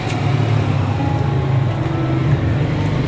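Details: Steady low engine rumble and road traffic noise throughout, with no animal voices.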